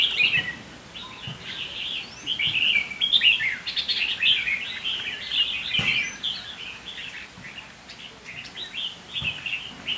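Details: Caged red-whiskered bulbul used as a decoy sings a long run of varied, sweet chattering notes, loudest near the middle, with occasional soft knocks in the background.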